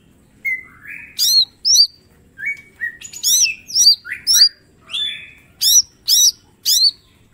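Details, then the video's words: Mini green leafbird singing vigorously in a master recording meant for training, with full sharp bursts showing its repertoire: a flat whistle, then rising slurred notes and quick high hooked chirps in clustered bursts, no other sounds. "Cucak ijo mini gacor full tembakan bongkar materi"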